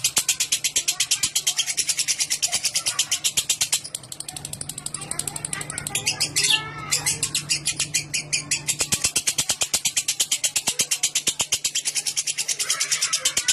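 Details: Lovebird ngekek chatter, a prompt for other lovebirds to sing long: a fast, harsh stream of high notes runs for about four seconds, breaks for a mixed stretch of other sounds, then resumes densely to the end over a low hum.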